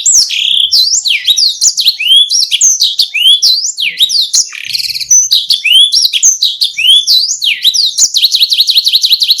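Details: Canary, including red and yellow birds, singing a rolling song used as a tutor recording for other songbirds; dense, loud, continuous song of fast up-slurred whistles and chirps, ending in a rapid repeated trill.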